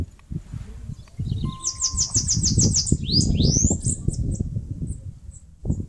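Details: Bananaquit singing while building a nest in a mandacaru cactus in northeastern Brazil: a rapid run of about nine thin, high, sibilant notes, then a few quick upslurred squeaks, over steady low rumbling background noise.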